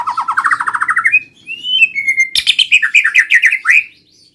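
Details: White-rumped shama song meant to coax silent shamas into singing: a fast rising series of chipping notes, then smooth sliding whistles, then a burst of rapid buzzy warbled notes.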